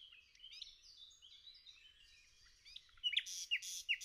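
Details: Soft, rambling twitters and whistles from a forest nightingale, closing with three loud, emphatic downward-swept notes spaced about a third of a second apart.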